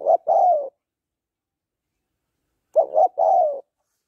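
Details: Female spotted dove cooing to excite a male, two phrases, each a pair of short coos followed by a longer downward-sliding note, separated by a two-second silence.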